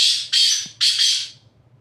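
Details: Black francolin calling from the top of a rock: four harsh, rasping, broadband notes in two closely joined pairs, each pair loud at onset and fading, with a faint low hum beneath.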